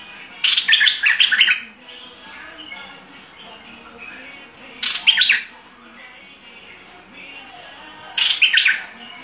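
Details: Bulbul singing in the fierce style: three short bursts of bright, chattering warbled notes, each about a second long and spaced roughly three to four seconds apart, with quiet gaps between.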